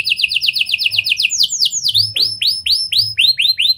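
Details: Lovebird and prenjak style canary song, played to get other canaries singing: a rapid chattering trill of high notes shifts into spaced, rising swept whistles.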